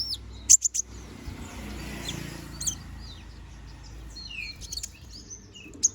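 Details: Young konin bird, bald while growing its feathers, singing chattily for song training: a few sharp, very high chirps early on, then sparse thin twitters over a low background hum.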